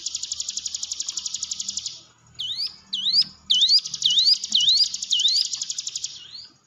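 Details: Hill prinia song used to coax a silent caged bird to sing: a buzzy rapid trill opens, then crisp falling-rising whistles repeat about every half second over a renewed trill.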